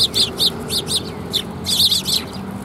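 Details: Several Eurasian tree sparrows coming to be fed at a Tenmangu shrine on 10 January 2022 give bright, high chirps in quick clusters of two or three, with a brief pause before a denser burst, over a low steady background rumble.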